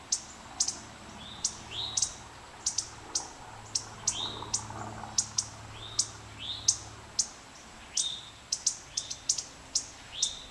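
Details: Male indigo bunting defending the nest at Kay Environmental Center, giving sharp spit calls with tail switching: short high clicks repeated roughly every half second, many paired with a brief rising squeaky note, against soft background noise.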